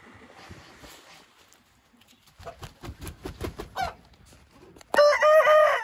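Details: Hint rooster: a run of quick, rhythmic clucks and knocks is followed by the start of a loud, hoarse crow that is cut short at the end.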